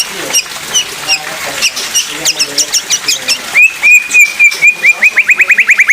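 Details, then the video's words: Singing oriental magpie-robin, 'pastol' style, recording used for teaching other magpie-robins; soft scratchy high notes give way to a long bright level whistle, then rapid repeated upswept whistled notes growing louder toward the end. "Suara Asli Murai Pastol Tembakan Maut COCOK BUAT Murai Belajar Bunyi"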